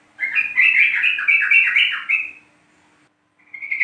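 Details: Yellow-vented bulbul ('trucuk kebo', East Java) singing as a lure to prompt other bulbuls: one long, tumbling bubbly warble of about two seconds, then silence and the start of another phrase.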